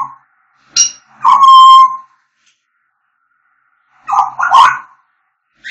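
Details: African grey parrot whistling: a harsh chirp, then a long steady pure whistle held for under a second, silence, and a pair of rough squawky calls later on.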